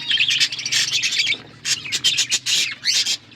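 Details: Budgies in a forest-environment outdoor aviary, eating seeds, produce loud clustered squawky chirps and warbles in short bursts separated by brief gaps, with a low hum underneath.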